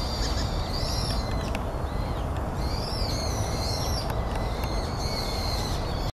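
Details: Brown-eared bulbuls recorded at Yatsu tidal flat, 6 January 2013, giving repeated high whistled, arching notes in loose bursts, set against heavy constant low rumble and a few sharp clicks.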